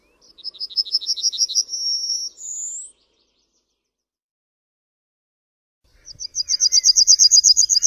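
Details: Yellowhammer (Emberiza citrinella) song: a rapid series of high, thin notes runs into a sustained tone, then a short rising higher note. After a pause of about three seconds, another fast run of repeated chips begins.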